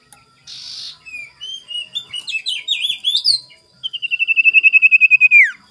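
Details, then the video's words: Morning sirtu lure for provoking rival birds: a series of warbled, rising and falling chirps builds up, then breaks into a loud, fast trill of high pulses that ends with a sharp drop. "PANCINGAN SIRTU GACOR DI PAGI HARI EMOSI CARI LAWAN"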